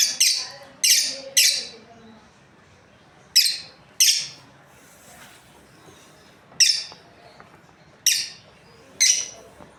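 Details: Lovebirds, a breeding pair, chirping: a quick triple of harsh, high chirps, then spaced single and paired shrill chirps with longer quiet gaps between.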